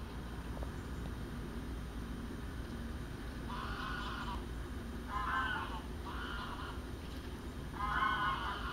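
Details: A female common scoter at a lake, Kraaijenbergse Plassen, Netherlands, 19 November 2014, gives four short, harsh, grating calls, each under a second, over a steady low rumble of wind or surf.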